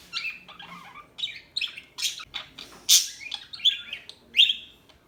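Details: Chirping small bird gives a rapid string of varied high twittering notes, some slurred and buzzy, with a standout loud sharp squeak near the middle and a whistled note at the end.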